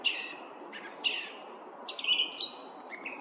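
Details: Song thrush perched atop a spruce, delivering quick high whistled notes and chirpy phrases in close succession, some with a rasping edge, against constant low ambient hiss.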